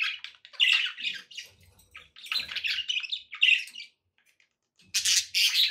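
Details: Pet budgies chatter in scratchy, buzzy warbles and squawky notes over several seconds, broken by a short silence before a loud harsh burst at the end.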